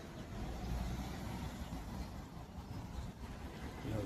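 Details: Steady vehicle rumble from passing traffic dominates, with faint speech in the background and no animal voice heard.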